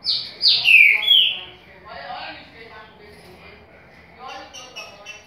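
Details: Green-winged saltator giving a short burst of Paraguai-style song: three or four bright, sweeping whistled notes in the first second. Faint murmuring and softer sounds follow for the rest of the recording.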